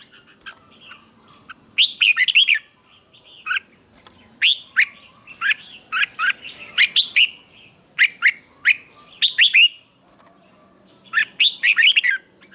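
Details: Red-whiskered bulbul singing morning training song: repeated clusters of loud, bright, slurred whistled notes, two to four per burst, separated by short pauses, with a quiet gap before a final burst.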